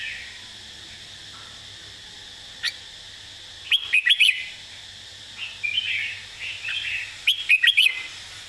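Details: Red-whiskered bulbul model song used for teaching caged birds: scattered quiet warbles, then two bursts of four or five quick, sharp whistled notes, with softer warbling between them over a faint steady hum.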